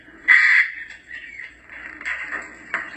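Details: African grey parrot giving a short piercing whistled screech, followed by quieter raspy calls and a final sharp squawk.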